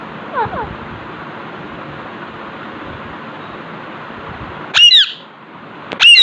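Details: A talking Alexandrine parakeet sitting in front of a mirror gives two loud, harsh, high squawks about a second apart after a faint early chirp, over a steady hiss of background noise.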